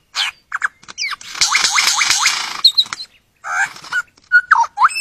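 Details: Superb lyrebird from Australia courting a mate: varied mimicked calls, clicks, a buzzy rattling stretch with repeated rising notes, then chattering and short whistled phrases, with sudden silent breaks.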